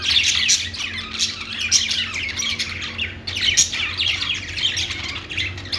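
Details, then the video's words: Pet-store budgerigars calling together, steady overlapping high chirps and rasping squawks forming a constant busy chatter, with a low background hum. "budgies calling sounds | parakeet chirping sounds in pet store"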